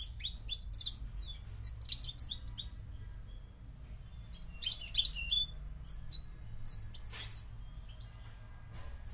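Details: Moroccan goldfinch song in quick bursts of bright, liquid twittering and high chirps, broken by short pauses between phrases, over a steady low hum.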